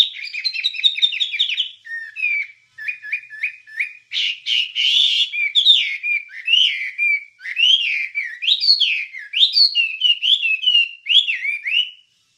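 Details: Long wambie song phrase from a recording used to train songbirds: a steady flow of quick chirps and short upslurred whistles, a harsher buzzy burst partway through, then sharp zigzag whistled notes.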